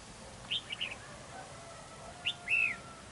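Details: Decoy red-whiskered bulbul at a fight trap, defending territory: a pair of brief chirped notes, then a short pause and a louder phrase ending in a drawn-out, arched whistle.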